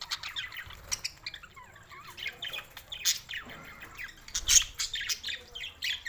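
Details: Budgerigars in Larkana, Sindh, recorded June 7, 2024, keeping up soft, rambling chirps and twittering, broken by a few loud sharp squeaks.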